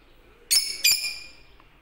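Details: Lutino lovebirds, yellow parrots, give two sharp, shrill, harsh squawks in quick succession, each fading away, in a quiet indoor setting.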